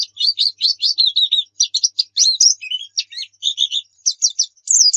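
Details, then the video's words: White-eye (pleci) song played as a lure to get kept birds singing: a dense run of high, quick chirps and short twittering notes, nearly continuous with brief gaps, ending in a rising trill. "Pancingan PLECI Bikin Cepat GACOR"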